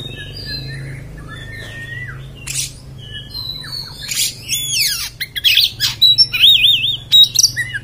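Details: Kacer, or Oriental magpie-robin, delivering rough 'beset beset' song: soft slurred whistles at first, then loud harsh rasps, descending buzzy sweeps and quick wavering trills, over a steady low hum.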